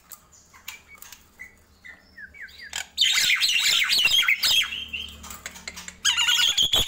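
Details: Morning singing by a Nias hill myna: soft, clear whistled notes at first, then an abrupt loud outburst of harsh, squawky chattering that pauses and returns.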